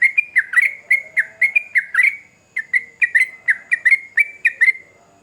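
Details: Yellow-vented bulbul singing hard in a rolling song: quick bubbly notes, a brief gap midway, then another burst of liquid slurred phrases that fades at the end.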